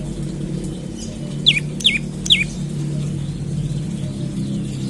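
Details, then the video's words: Morning calls of an olive-backed tailorbird, played to coax other tailorbirds into song: three quick, sharp downslurred notes in a row over a loud low rumble of background noise. "Pancingan Prenjak Lumut Pagi Hari Bikin Burung Prenjak Bahan Cepat Bunyi dan GACOR"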